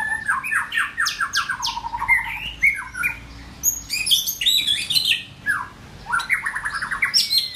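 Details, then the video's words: White-rumped shama singing during form building: rapid runs of descending slurred notes alternate with high, sharp whistled phrases and brief pauses, with a faint low hum beneath. "White Rumped shama- form building"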